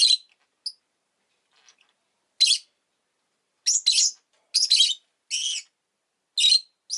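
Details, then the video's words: Two rosy-faced lovebirds huddled together at an entrance give short harsh chirps in irregular bursts, some doubled, over about seven seconds, with quiet gaps between. "Lovebird Chirping Sounds"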